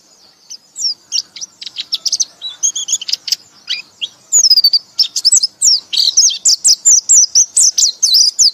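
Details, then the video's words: Loud ngekek-style white-eye song, starting with scattered high chirps and building into a dense, rapid stream of sharp twittering notes, roughly four per second, in a quiet setting. "pleci anda akan ngekek ngekek keras"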